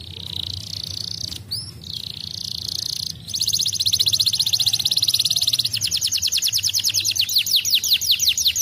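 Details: Crested fighter-type Belgian canary singing loudly: a jumble of high chattering notes, then rapid rolling trills of fast repeated notes, over a low background hum.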